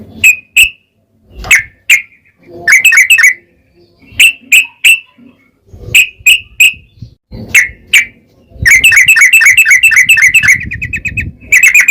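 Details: Yellow-vented bulbul singing in the 'ropel panjang' style as bait to stir other bulbuls: scattered sharp chirps in pairs and triplets, short chattering bursts, then a long rapid rattle near the end.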